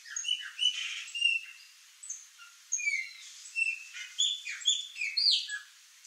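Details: Chopi blackbird flock at fruit in a yard: bursts of sharp, downslurred whistles and bubbly chatter come in clusters about every half second, with a short quieter gap near the middle.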